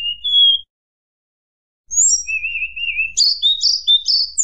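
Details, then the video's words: Flute-like song of a Sunda blue robin provoking rivals: two rising whistles, a pause, then high slurs, a wavering low whistle, and quick bursts of bright twittering notes. "tledekan gunung nyuling bikin lawan emosi"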